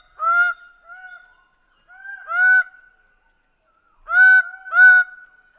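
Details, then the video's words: Greater bird-of-paradise giving loud, nasal, honking calls with a sustained ringing tone between them, in pairs and singles over five seconds. "Greater bird of paradise sound"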